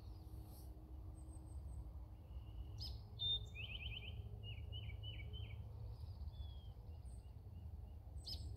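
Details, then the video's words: Eastern towhee in Indiana, April 3, 2021, a common, very vocal large sparrow: a sharp introductory note, then a rapid rattling trill, followed by a string of short slurred notes over a constant low background hum. "Eastern Towhee"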